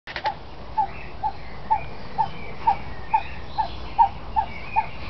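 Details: Himalayan Snowcock; a series of short, clipped mid-pitched notes repeated steadily about twice a second, with faint hiss behind.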